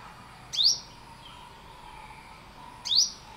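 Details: Olive-backed sunbird giving two sharp, upward-sweeping chirps about two seconds apart. Each is a brief bright note climbing steeply. A faint steady hum and soft background tones run between them.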